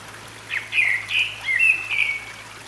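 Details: Song of a grey-backed thrush recorded 6 May 2022 in a stream valley at Sinwonsa Temple, Gyeryongsan, South Korea: a short run of clear whistled notes, some sliding and warbled, with flowing water murmuring behind.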